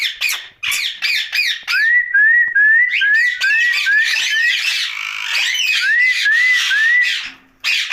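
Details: Pet green ringneck parrot (rose-ringed parakeet) vocalizing at night, opening with choppy squawks, then a string of about ten short upward-sliding whistles repeated roughly twice a second over rough chatter.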